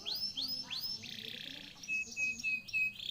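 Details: Canary song used as a lure to get a silent canary singing again: quick repeated high descending swoops, then a rapid buzzy trill, then short steady whistled notes repeated about every third of a second.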